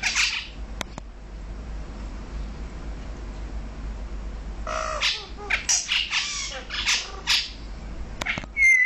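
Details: Male and female Brahminy starlings together in Kuwait: a harsh squawk, then a long quiet gap with faint background hiss, followed by bursts of scratchy, grating chatter and a final short whistle.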